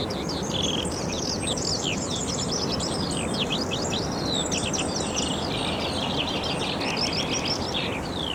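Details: A Eurasian skylark sings in summer at the Minsmere RSPB reserve, pouring out a continuous stream of high, rapid warbles, trills and chirrups over the roar of the sea crashing behind the dunes; a cuckoo is heard in the background.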